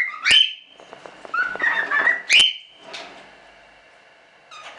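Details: Standard cockatiels kept as show birds in a small hobby breeding. Two loud, sharp calls sweep into a sustained high whistled tone, with rough, buzzy chatter between them and softer calls fading toward the end.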